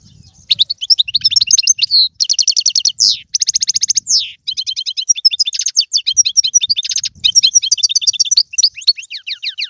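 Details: European goldfinch song, used to stimulate a pet goldfinch to sing: fast twittering and buzzy trills, repeated metallic notes, rapid stacked chirps and descending slurred whistles in dense continuous phrases, with faint low thumps underneath.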